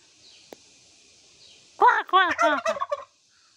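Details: Hen turkey calling 'kor kor kor' in a Nepali village, one loud burst of about seven quick, downward-arching notes delivered over roughly a second after a near-silent start.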